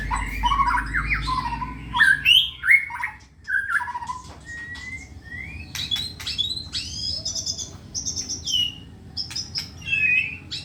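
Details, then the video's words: White-rumped shama in a cage, groomed for song contests, giving varied whistles and sharp notes, fading to softer high phrases with clicks and background hum. "burung murai gacor"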